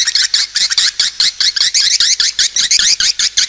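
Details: High twittering swiftlet lure call, short squeaky notes repeated over and over in a fast, slightly uneven rhythm.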